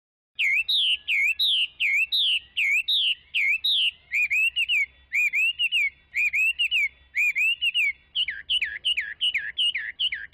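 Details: Chinese hwamei delivering long strings of repeated V-shaped whistled notes, switching mid-run to a lower, steadier note type and then back to rapid swooping whistles, over a faint low hum.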